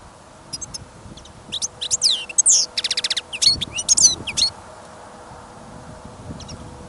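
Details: In a cage, a European goldfinch on a listening trial bursts into song during a snowy, windy trip. A lively three-second run of high twitters, buzzy rattling trills and chirps stands out, then near silence with faint wind.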